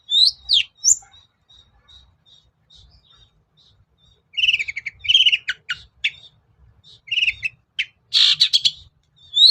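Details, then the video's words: Long-tailed shrike lure song for prompting silent birds to sing: a few high thin whistled notes, a faint run of soft ticks, then loud harsh chattering bursts and a buzzy scratchy phrase near the end. "BURUNG CENDET GACOR || SUARA PIKAT CENDET SUSAH BUNYI"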